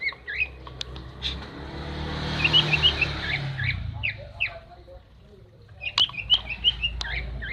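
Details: Female greater green leafbird calling, used to stir a male that has stopped singing: bright chirped notes at about two per second, with a quick twittering burst midway and another near the end, over low traffic rumble.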